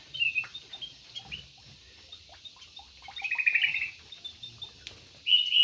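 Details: Aviary-kept yellow-vented bulbul giving short chirped notes, a burst of rapid bubbling warble in the middle and a final loud, trilled phrase, with soft rustling between calls.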